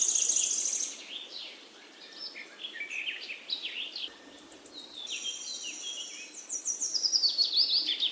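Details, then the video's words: A chorus of birds. High buzzy trills and rapid chirps overlap, the sound dipping quieter midway before building again into dense twittering. "Beautiful Bird chirping sound"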